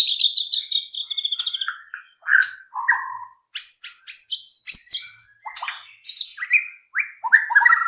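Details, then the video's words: White-rumped shama song used as a lure to provoke other shamas to sing quickly: a high rapid trill, then varied whistles, scratchy chips and sharp high notes that change constantly in pitch, all in clean quiet surroundings. "pancingan AMPUH murai batu agar cepat bunyi"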